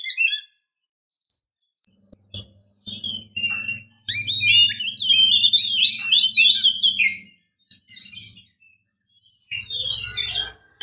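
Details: Relaxed, open-toned kacer song from a female used to prompt a silent male to sing. Scattered chirps grow into a dense burst of varied warbled notes, then fade, over a steady low hum.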